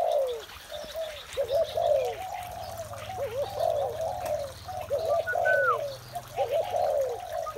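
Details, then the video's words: Several spotted doves coo through the morning, mellow low notes stacked and overlapping almost without pause, one bright falling whistle midway, and a faint steady low hum beneath. "Một buổi sáng tràn ngập niềm vui từ tiếng chim cu gáy"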